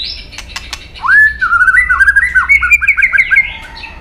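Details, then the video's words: Competitive song from a white-rumped shama: after a few clicks, a loud whistled note leads into a steady run of rapid, slightly rising chirped notes repeated many times. "chòe lửa đập đuôi nhấp cầu hót đấu giọng rừng dài"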